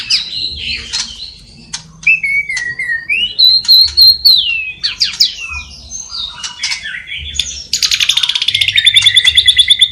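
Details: White-rumped shama from Cililin, Indonesia, singing with imitations of sparrow, fighting lovebird and kapas tembak calls: varied slurred whistles and chirps that swoop up and down, ending in a fast, even rattling trill.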